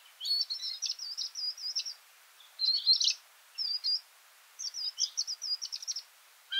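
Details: Varied Sittellas in a feeding party, recorded while birding around Kinchina, Mannum and Ferries McDonald, giving rapid bursts of high, thin twittering chatter, with several overlapping strings of quick notes separated by short pauses.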